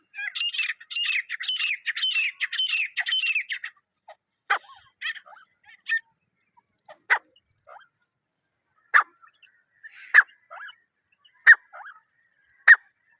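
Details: Partridge in its natural jungle surroundings: a quick series of scratchy, rasping notes lasting nearly four seconds. Scattered sharp clicks and brief short chirps follow at irregular intervals.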